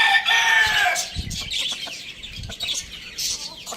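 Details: Pet rooster kept with hens, chicks and budgies crows: a loud, harmonic, slightly falling note fills the first second, then rapid high chirping and chatter of small birds carries on with soft low thumps.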